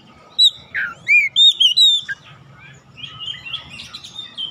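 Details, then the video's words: Kacer, the oriental magpie-robin, kept caged, singing a short run of loud swooping whistles, followed by softer, distant warbling notes. "KACER bahan langsung ikutan gacor"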